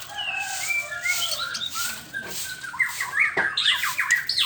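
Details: White-rumped shama in the morning, starting with drawn-out thin whistles, then breaking into a quick jumble of chattering, rising and falling notes at the end, with steady background hiss.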